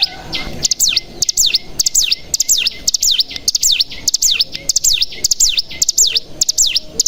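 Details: Bar-winged prinia (cigun) decoy song played to stir other cigun into singing. Paired ticks lead into high swooping notes that drop and rise again, repeated about every half second in a lively, steady pattern.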